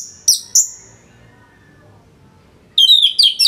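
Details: Two sharp high notes followed by a gap, then a dense burst of fast chattering whistles; song of a kept Orange-headed thrush in northern Bali, recorded for teaching other songbirds.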